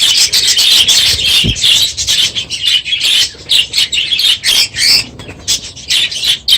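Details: Many budgerigars in a crowded aviary in the morning at the end of the breeding season, unusually loud: dense, continuous high chirping, squawking and warbling from many overlapping birds, with a brief low thump near the middle.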